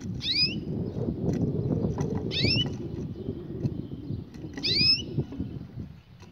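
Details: Canary song used for training young canaries: three high, sweeping phrases, each a quick cluster of rising and falling whistled notes, repeated about every two seconds over a low background rumble.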